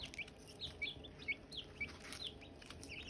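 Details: Silkie chicken chicks and hatching eggs chirping: short, high, downward-slurred peeps come every few tenths of a second, with faint clicks and a soft background hiss.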